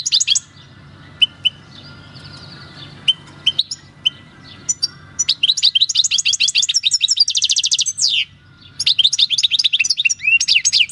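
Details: Wild-caught European goldfinch singing its countryside song: sparse isolated chirps at first, then a long lively stretch of high tinkling twitter, a buzzy rattle, a brief pause and more twittering.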